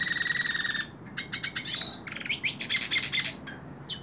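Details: Hooded siskin singing in the hand opens with a rapid, even buzzy trill, then switches to varied high chirps and sweeping twitters with short gaps between phrases.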